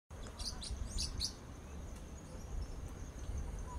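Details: A blue-winged parrotlet, Brazil's smallest parrot, gives a quick burst of three or four high, thin chirps, then quiet, over a steady low rumble of background noise.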